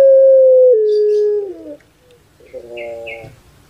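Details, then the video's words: Long pure cooing tone from a kept puter pelung turtle dove, Java, Indonesia, held about a second and a half and dropping in a small step, then a harsher, rich gurgling burst, like the typical kuk gerukkk kwokkk. "KONSER ANGGUNGAN PUTER PELUNG"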